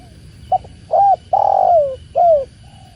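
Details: Mellow cooing of a spotted dove, locally tekukur, with water sounds: a stuttered opening note, a rounded coo, a long gravelly downslurred coo and a last lighter coo, plus a faint extra coo at the end.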